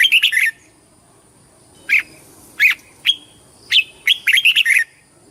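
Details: Red-whiskered bulbul competition song used for voice training: clear chirpy whistled notes spaced out at first, then a rapid run of five or six warbled notes near the end, over a thin constant high hum.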